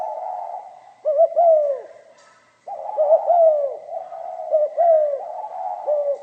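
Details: Cooing of a spotted dove in the 'giọng pha kim' style: warm, low, arched coo notes run together in flowing phrases, with one clear pause before a long continuous stretch. A faint high hum is the only other sound.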